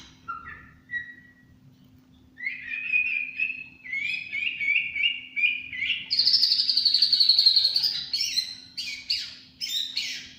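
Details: A contest-winning white-rumped shama delivers tembakan cililin song: brief whistles, then a steady series of repeated chirps climbing into a fast, rich, high rattling trill, ending in sharp high notes.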